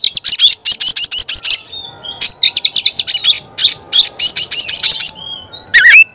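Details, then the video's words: An oriental magpie-robin sings fast, dense strings of piercing high chips and trills in two long bursts, broken by a short whistled note and ending with an upward slurred whistle. "Kacer gacor bikin kacer ngobra KONSLET"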